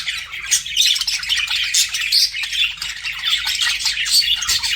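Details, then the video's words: Flirting budgies keep up a lively chirping warble, scratchy and high, with a few sharp squeaks standing out against the steady chatter. "BUDGIES FLIRTING"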